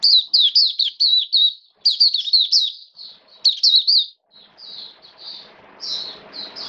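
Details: Oriental white-eye (Mata Puteh), a kept hobby bird, during wet rainy weather, 29 September 2022: rapid high warbled phrases of short sliding, twittering notes, strung together in bursts of about two seconds with brief pauses, then softer separate notes.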